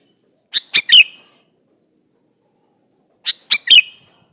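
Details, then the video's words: A male sooty-headed bulbul calls a female in a lure recording meant to make bulbuls respond. It gives two identical three-note phrases, about 2.7 seconds apart. Each has bright, quick chirps ending in a loud, falling slur. Silence fills the gap. "suara burung KUTILANG jantan gacor memanggil betina"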